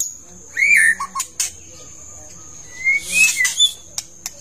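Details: Long-tailed white-rumped shama in full song, giving short clear whistled phrases, some sliding down, mixed with sharp clicks over a steady high hiss.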